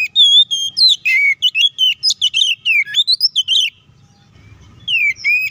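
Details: Oriental magpie-robin in full fighting song, used as bait to provoke other magpie-robins: a rapid run of loud whistled notes and sharp chips swooping up and down. It pauses briefly, then resumes with downslurred whistles.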